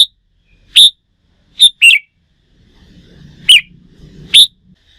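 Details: Red-whiskered bulbul, a wild-caught bird being trained for contest singing: loud, separate sharp notes around one pitch, with a short double-note burst, spaced irregularly and followed by a faint low rumble.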